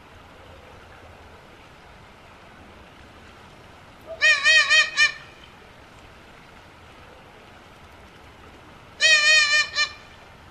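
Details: Eurasian eagle-owl call: two bursts of rapid, harsh, nasal cackling notes, each about a second long and five seconds apart, over a quiet background.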